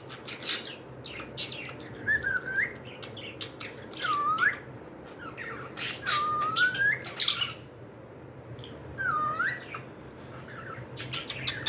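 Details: Pet cockatiels calling indoors: several clear whistled notes that dip and rise in a U shape, spaced a second or two apart, among short sharp chirps and clicks.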